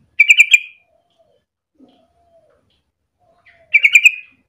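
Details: A yellow-vented bulbul, used as a lure recording to get other bulbuls singing, gives two short, bubbly, chattering phrases of quick liquid notes about three seconds apart, with near silence between.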